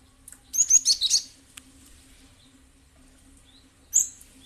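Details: Gelatik batu, the cinereous tit, used to coax answering song: a quick run of five or six bright high chirps, then silence, then a single sharp note.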